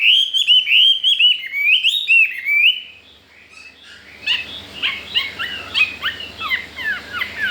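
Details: Newly arrived wild-caught Chinese hwamei in a cage, with a loud sequence of rolling whistled phrases, a brief pause, then a quicker burst of sharp slurred notes with scratchier edges.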